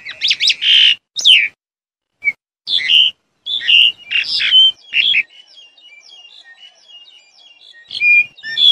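Black-collared starling gives harsh, chattering bursts and squeaky notes in loud clusters, then a softer run of thin whistled notes.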